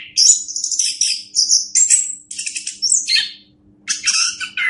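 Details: Master recording of orange-headed thrush song for teaching other birds: long, high, hissy and whistled phrases running together, a short drop, then another burst after a brief silence.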